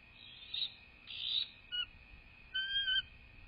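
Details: Female bald eagle calling at her nest in southwest Florida, filmed by a live nest camera on 12 January 2024: several brief, high, thin whistled notes, some rising, over a steady electronic hum.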